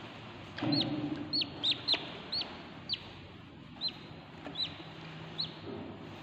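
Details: Baby budgerigars inside a nest box give short, high, slurred peeps, repeated irregularly against a soft background hiss.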